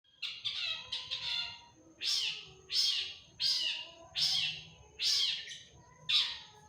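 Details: Long-tailed shrike (cendet) in full active song with imitations and sharp 'tembakan' bursts: harsh, rasping, downslurred notes repeated a little more than once a second after an opening run of quicker chattering phrases. A steady thin high whine runs throughout.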